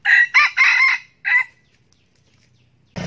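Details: Red junglefowl rooster kept as a decoy, crowing to lure wild roosters. A clipped, hoarse crow delivered in four quick chunks over about one and a half seconds, followed by silence and then an abrupt burst of noise.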